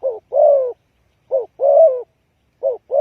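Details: Spotted dove calling as a trapping lure, short clipped coos alternating with longer drawn-out descending croos in a quick, steady rhythm against silence.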